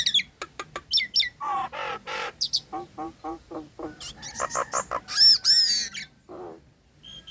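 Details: Female Nias hill myna in breeding condition, singing in full voice: a fast, varied medley of sharp clicks, loud ringing whistles and harsh buzzy chatters, several notes every second.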